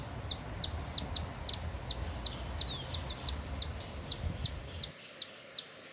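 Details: Hummingbird giving sharp, very high chips in a steady series of about three per second, with a faint thin trill among them, over a soft hiss that falls away near the end.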